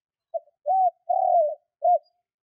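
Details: One phrase of spotted dove cooing, used to provoke kept doves to call fast: a short soft note, a smooth arched coo, a longer wavering, slightly falling coo, then a brief closing coo.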